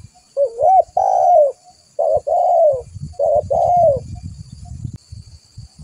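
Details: Spotted dove cooing, used as a lure call to draw other doves in: three low, soft, rolling coo phrases, each a short note followed by a longer wavering coo, with faint background rustling.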